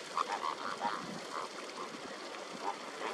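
Greater flamingos give a steady chorus of short, nasal, goose-like honks, several birds overlapping in a busy flock clamour.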